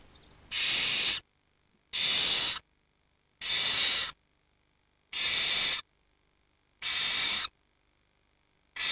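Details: Barn owl nestlings between 7 and 19 days old, waiting huddled together while the parents hunt; evenly spaced rasping hisses, each under a second, repeated roughly every one and a half seconds in a quiet setting.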